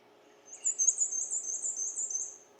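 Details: Black-and-white Warbler song, likened to a squeaky roller skate: a very high, thin, squeaky run of quick two-part notes, 'we-see we-see we-see', over a faint low hum.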